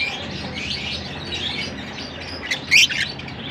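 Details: Larkana lovebirds chattering softly and continuously, then one sudden shrill, rising chirp near the end.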